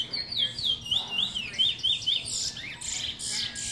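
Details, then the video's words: Trinidad bullfinch, a proven teacher bird, singing a run of rising and falling whistled slurs about four per second, then higher squeaky notes, over a noisy room background with a low hum. "Base trini bullfinch proven teacher bird"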